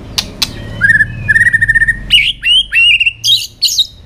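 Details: Tail-flicking white-rumped shama in song meant to excite young birds; two sharp clicks, then a steady trill of repeated whistled notes, followed by louder swooping whistles against a low background hum.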